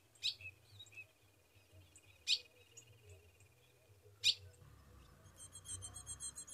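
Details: Female Ultramarine grosbeak in northeastern Brazil's caatinga, Rio Grande do Norte, calls to the male for mating. Loud single sharp chips come about every two seconds, then a burst of rapid high twittering at the end.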